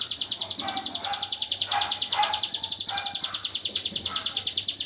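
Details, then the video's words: Hill prinia giving the 'AK47' rapid-fire song used to tutor white-rumped shamas: an unbroken stream of sharp, high, evenly spaced pulses, about eight per second, with faint lower whistles from other birds behind. "Suara burung ciblek gunung tembakan AK47"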